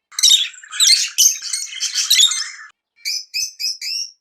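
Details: Lovebird chirping excitedly during mating: dense harsh squawky chatter for over two seconds, then a pause and four short rising chirps with a clear lower band, all high-pitched and bright.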